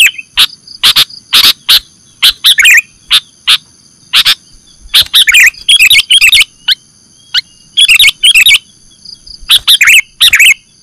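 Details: Sooty-headed bulbul lure recording for bird trapping: long sequence of sharp single chirps interspersed with bursts of bubbly warbled chatter, loud throughout, with a constant faint electronic whine.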